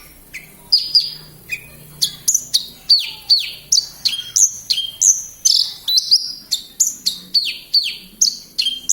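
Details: Lark from Kediri (branjangan) singing continuously: rapid, loud, high-pitched downward-slurred whistles and chirps, roughly two to three notes per second.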